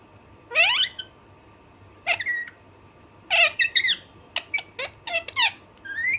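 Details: Alexandrine parakeet, a pet parrot, giving its natural calls: sharp harsh squawks and rising screechy notes in irregular bursts with short gaps, over a faint steady indoor hum.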